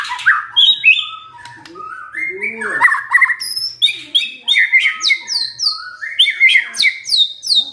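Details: White-rumped shama, a stressed bird singing suddenly on hearing a lure recording: a rapid, varied run of whistled and buzzy phrases, sliding notes and high downward-curving whistles repeated several times a second, with no other clear sounds.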